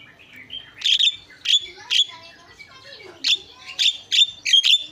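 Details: Javan myna isian song: loud, grating high squawks in short bursts separated by pauses, mixed with fainter warbled and descending whistled notes in the background.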